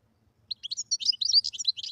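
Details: Fast, dense twittering song of a wild European goldfinch, bright notes tumbling together almost without a break.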